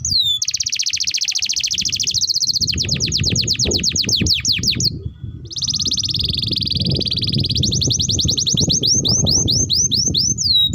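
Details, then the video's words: Canary singing a long, continuous song meant to teach other canaries; dense buzzy trill shifts into rapid sweeping notes, brief pause, then another rolling trill and upswept whistles. "Pancingan Burung KENARI Gacor Panjang || Masteran Kenari Paud"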